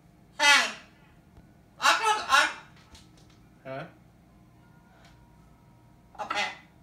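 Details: Blue-and-gold macaw talking as if answering the phone, mimicking human speech: five separate raspy, voice-like bursts with long pauses between them, two close together near the middle, in a quiet indoor room with a low background hum.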